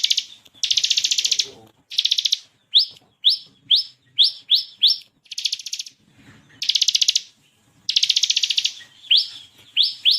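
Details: Energetic song of a bar-winged prinia (ciblek kristal), varied 'ngebren tembakan' delivery, meant as tutor material for competition songbirds. Buzzy rattling trill bursts alternate with clusters of quick rising slurred notes, on a clean quiet background.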